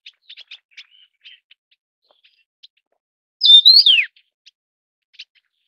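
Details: Taiwan yuhina, an endemic bird of Taiwan's low to high mountains, giving one loud, clear whistled phrase that rises, wavers, then slides steeply down, preceded and followed by faint short ticking chips.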